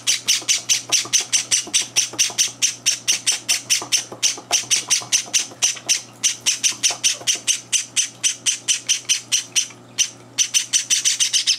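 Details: Hungry Java sparrow chicks at breakfast feeding in a house, older birds barging in; a relentless train of piercing, raspy squawks, steady at over two per second, pausing only for a moment near the end.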